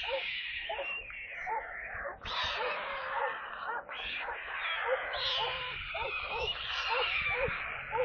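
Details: Nestling storks in Kaluga Oblast, Russia, receiving water on 28 July: quick runs of small rising-falling calls, several per second, with bursts of loud broadband rushing noise on top.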